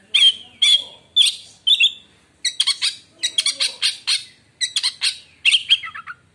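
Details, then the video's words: White-rumped shama song said to silence other shamas: a rapid series of sharp, clipped notes, at first spaced about half a second apart, then crowded into fast chattering bursts. "kacer lain di jamin langsung diam bila denger suara kacer ini"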